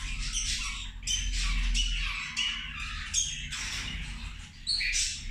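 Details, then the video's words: At mealtime, zebra finches give loud, tinny honking calls in choppy bursts roughly every second, separated by brief quieter gaps and backed by a faint low rumble. "Australijske zebe ručak"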